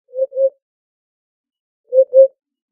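A Eurasian hoopoe sings two soft, hollow, low 'oop-oop' notes, then repeats the pair about two seconds later; no other sounds.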